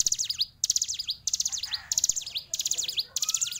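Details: High, chattering song of a fighter hill prinia, short phrases of quick V-shaped notes repeated about every 0.6 seconds, with a faint lower whistle near the end.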